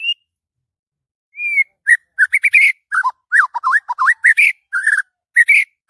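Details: Morning song of a white-rumped shama, excited and singing energetically: a long clear whistle, then rapid runs of varied whistled notes, some rising, some dipping, others buzzy. Short bursts with brief gaps, and a quiet background.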